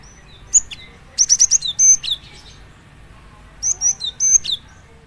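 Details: Cinereous tit (gelatik batu) delivering two phrases. Each is a rapid string of sharp, high chips and whistles followed by a slurred note, separated by about two seconds of near silence.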